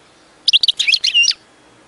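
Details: European goldfinch, a bird kept for training other singing birds, giving a brief burst of high twittering, buzzy notes lasting under a second, with no other sounds.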